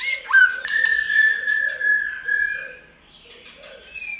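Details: White-rumped shama in many-voiced song meant to prompt birds to sing: a quick upward flick into a long, level whistled note, then a break and a burst of clicks, with a steady low hum throughout.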